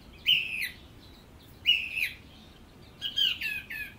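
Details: Singing song thrush: a whistled phrase delivered twice in identical form, followed by a new, busier phrase of quick chirping notes.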